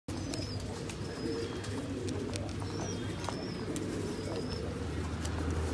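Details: Satinette fancy pigeons, a domestic breed, at a fancy pigeon farm in India give low, soft, murmuring coos under a steady rushing background, with a few thin high chirps from small birds.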